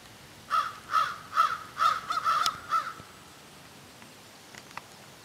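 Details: Several crows engaged in what sounds like a serious discussion: a burst of seven raucous caws, some overlapping, packed into about two and a half seconds before quiet returns.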